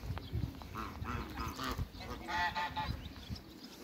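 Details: A mature pair of African geese in a backyard giving a series of loud, nasal honks with rich harmonics, several quick calls in a row, then a louder, higher double honk near the end over low background rumble.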